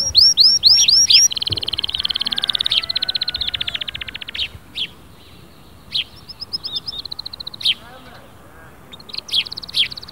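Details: Canary singing vigorously to stir a silent canary: quick looping whistles, a dense buzzy roll, and a fast rattling trill, then sparse chips and short high trills with pauses.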